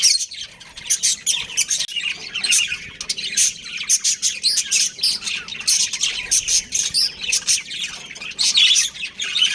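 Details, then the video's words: Home-kept budgerigar breeding pair chattering in dense, rapid scratchy chirps and squeaks, steady throughout, over a faint low hum. "Cute Budgies Chirping Sounds"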